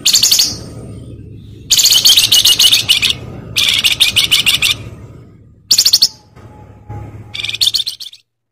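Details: Flamboyan bird giving loud, harsh, buzzy song bursts in repeated stuttering phrases of one to one and a half seconds, separated by quiet gaps with a low background hum.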